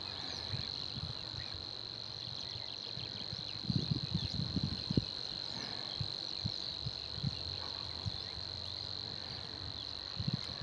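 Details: Savi's warbler in reeds reels on without a break, a fast, even, insect-like buzz held at one pitch, over low wind rumble and a few soft thuds.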